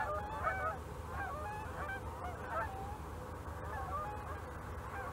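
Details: Canada geese in a flock passing overhead in a snow storm, a snowy owl looking up at them; overlapping nasal honks rise and fall in quick bursts over a constant low wind roar.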